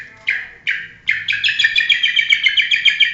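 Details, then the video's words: Long-tailed shrike, a frequently winning national champion competition bird, gives a few separate downward-sliding calls, then runs into a fast, continuous chattering stream of buzzy notes. "Cendet Juara Nasional Burung Cendet Sering Juara"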